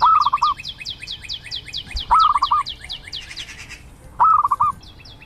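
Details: Zebra dove calls in quick rippling bursts of soft staccato coos spaced about two seconds apart, over a busy run of high, repeated chirping notes from another bird.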